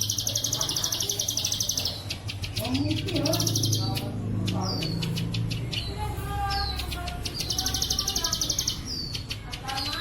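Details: Plain prinia bren cililin-style training song: high rapid buzzy trills open and close the passage, separated by short downslurred notes, while a low rumbling murmur and a brief lower, harmonic call fill the middle.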